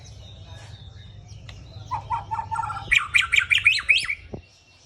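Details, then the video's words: White-rumped shama in vigorous full song, described as gacor: a run of quick, evenly spaced notes gives way to louder, higher whistled phrases repeated in rapid succession, with faint low background hum and some murmured voices at the start. "Murai batu gacor"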